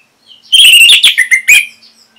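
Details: Orange-headed thrush song recorded in Singaraja, Bali, for training other songbirds: a loud, rich warbling phrase running into sliding whistles and three short clear notes.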